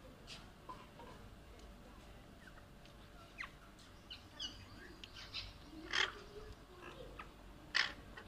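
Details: Green Alexandrine parakeets fighting over and playing with toys give scattered harsh, raspy squawks, with two loud screechy bursts near the end, over faint chattering and a steady background hum.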